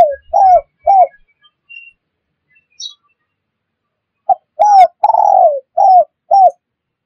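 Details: Spotted dove cooing, a recording used as a lure to catch wild birds: two short arched coos, a pause with faint high chirps, then a run of five mellow coos including one longer, drawn-out falling note.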